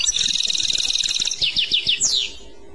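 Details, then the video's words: European goldfinch singing in the clochette style: a sustained high buzzy trill, then a few separate descending chip notes, and a final sharp downslurred note before quiet. "تغريد كلوشات Chant Clochette"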